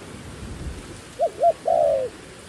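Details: Dove decoy calling wild doves: two short looping low notes followed by a longer sustained coo that falls at the end, over a noisy hiss.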